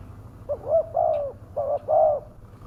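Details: Fierce-sounding spotted dove lure call meant to attract wild birds: two soft coo pairs, each a quick short note followed by a fuller, drawn-out coo, with quiet background.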